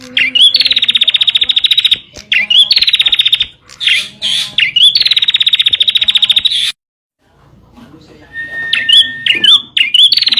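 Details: Bar-winged prinia tutor song for caged birds: several buzzy trills, each introduced by an upward flick, then a pause. A steady whistled tone and sharp chirps follow.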